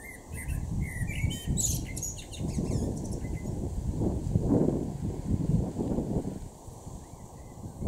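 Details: Male Common Blackbird singing in a garden in Norden, East Frisia, northwest Germany, June 2023: short whistled phrases with high chattering endings open the recording, then loud low rumbling noise dominates before a last faint phrase.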